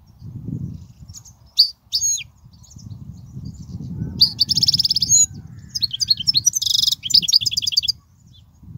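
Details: European goldfinch song used to teach young goldfinches: scattered high twittering notes, then a fast run of buzzy trills and rapid chirps in the second half, with a faint low background rumble.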